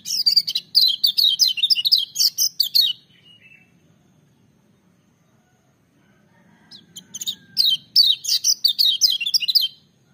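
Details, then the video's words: Lemon-bellied white-eye in full, piercing voice: two long bouts of rapid, high-pitched chattering warbles, each about three seconds, separated by a quiet pause with faint low background hum. "Kecial Kuning joss gacor menggelegar tapi merdu"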